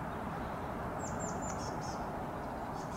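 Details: A woodpecker in a tree, answering after listening, gives a quick run of five thin, high, down-slurred notes, then two more after a pause, over steady low rumbling background noise.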